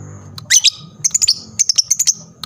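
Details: Lovebird chattering to prompt a reply from other lovebirds: a shrill squeak, then a fast string of thin, high twittering notes in close succession.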